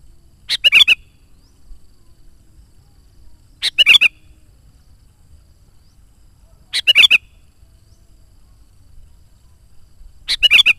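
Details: Sooty-headed bulbul, a caged singer used as a lure for wild bulbuls, gives short bubbling, liquid phrases of three or four notes about every three seconds, with quiet between.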